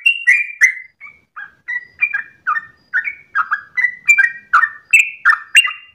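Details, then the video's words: Sooty-headed bulbul singing at dawn, long 'ropel' song: separated whistled notes with downward slurs, starting sparse then quickening to roughly three per second, quiet background. "ROPELAN TRUCUKAN Terbaik subuh pagi hari"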